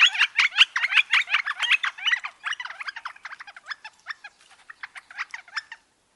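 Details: Northern flicker, a brownish woodpecker from Wisconsin, producing a busy, uneven run of harsh squeaky and chattering notes, loud at first and gradually thinning and softening toward the end.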